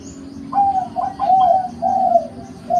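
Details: Zebra dove song of gentle, low, rolling coos, a quick stutter of short notes followed by longer, smoother ones, with a faint steady hum beneath.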